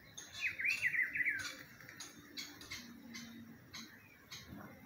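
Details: Spring recording of a rufous-browed peppershrike delivering one loud, rich warbling phrase of looping up-and-down notes lasting about a second, followed by softer chirps and a faint low hum.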